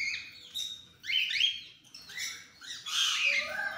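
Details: Cockatiels of different mutations calling: a run of rising whistled notes and harsher squawky chirps, uneven in spacing, several birds overlapping.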